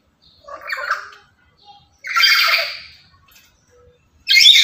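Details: Talkative lory, loud and active every day and used to lure and tutor other lories, uttering rough, quieter squawks, three bursts with gaps between.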